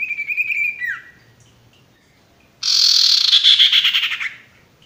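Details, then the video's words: Male Ashy Tailorbird, known locally as sirtu, singing for tutoring new or stressed, silent birds: a high rattling trill ending in a falling slur, a pause, then a loud burst of harsh, buzzy, rapidly pulsed notes. "masteran burung sirtu bakalan maupun stres macet"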